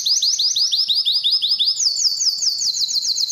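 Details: Belgian canary song meant to stir females for mating, a continuous bright trill of rapidly repeated upswept notes, changing midway to a slightly higher, faster tour of chirping syllables.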